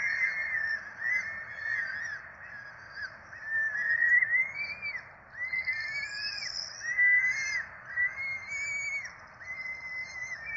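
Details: Peregrine falcon nest in Rome, 12 April 2024, where four chicks are fed. Repeated arched whining squeals about one per second, some rising higher and sharper, with thin high squeaks in between.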